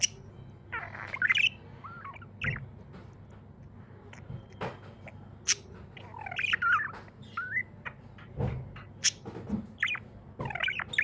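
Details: Pet budgerigar, said to be happy, chattering with scattered squeaky warbles and chirps amid several sharp clicks and taps, over a low steady hum.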